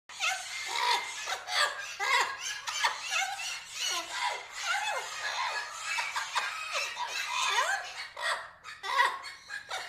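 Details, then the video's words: Several parrots chattering continuously, with squeaky, sliding and falling squawks and whistles overlapping without pause in a small enclosed space. "amazing parrots sounds"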